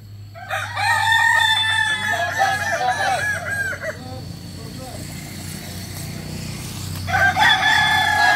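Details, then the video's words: Kukuak Balenggek rooster during crowing practice before a competition judged on how often birds crow; a loud crow with a long string of stepped notes, then low rumbling background noise, and another crow starting near the end. "Ayam kukuak balenggek (akb)"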